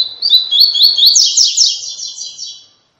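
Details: Coleiro seedeater singing a tui-tui phrase for bird training: quick, sharp, high rising notes that speed into a dense buzzy trill and then fade away.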